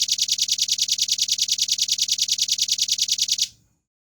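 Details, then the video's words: Fast, clear burst song of a red-billed nuthatch, recorded as a training tutor. Piercing high notes repeat rapidly and evenly for about three and a half seconds, then stop abruptly. "MASTERAN RAMBATAN PARUH MERAH RPM NEMBAK SPEED RAPAT JERNIH JEDA"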